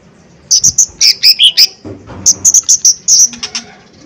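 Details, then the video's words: Lesser green leafbird (cucak ijo mini) in lively lure song: two phrases of sharp, high whistled notes, varied in pitch, each phrase about five to seven notes, with a brief quiet gap between. "Pancingan Cucak Ijo Mini Gacor Full POWER Tembakan keras Mancing Emosi"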